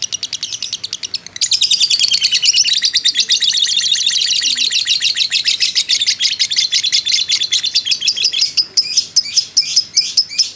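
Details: Fighter lovebird, in a recording used to provoke rivals, keeps up its long 'ngekek' chatter. A quieter trill jumps abruptly to a loud, rapid rattle of high notes, which slows toward the end into separate chips.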